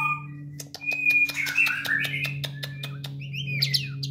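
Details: White-rumped shama at a breeding farm with caged males and females gives sharp whistled and squawky notes over a run of rapid clicks, with a steady low mechanical hum throughout.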